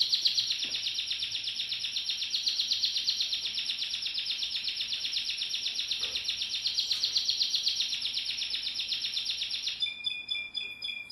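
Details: Timbrado canary producing one long, even, rattling roll of about four beats a second for nearly ten seconds, ending in a short run of separate high chirps.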